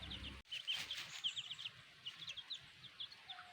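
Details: Little chicks of a black hen give bright, rapid peeps in uneven bursts after a brief low rumble at the start.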